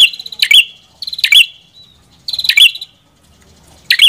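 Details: Loud, ringing chip notes with a buzzy edge from a red-headed prinia (prenjak kepala merah), spaced about a second apart.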